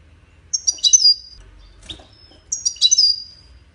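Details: Goldfinch song for training birds and stimulating them to mate: two matching high twittering phrases about two seconds apart, each a quick run of liquid notes ending in a drawn-out thin buzz, quiet between.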